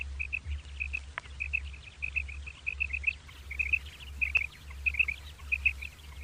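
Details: Common quail calling in the morning, when quail settle: short clipped notes in tight pairs and triplets at a steady mid-high pitch, repeated about every half second without pause, over a constant low hum.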